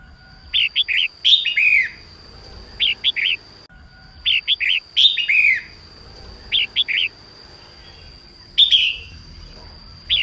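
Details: Female red-whiskered bulbul singing in the morning to spur males into song: quick bright chirps in groups of three or four alternate with longer slurred, falling warbled phrases, repeated for about ten seconds, over a steady thin high whine.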